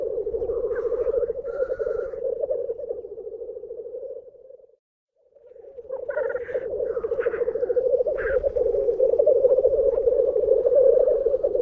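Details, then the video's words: Black grouse lekking at World's End, North Wales, in March 2017: a continuous low bubbling, cooing roll from several males, broken by a brief pause, with harsh hissing sneezes and rasping notes rising above it. "Lekking Black Grouse"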